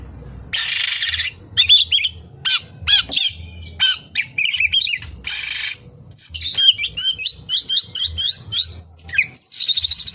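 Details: Kapas tembak-filled song of an oriental magpie-robin: hissing rasps, sharp clicks and dense high whistled trills delivered in rapid bursts.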